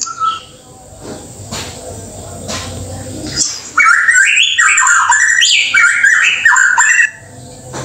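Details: White-rumped shama from Indonesia. Noisy, rustling first half with a few sharp chips, then a loud, rich burst of varied whistled and warbled phrases that jump between pitches for about three seconds before fading back to background noise.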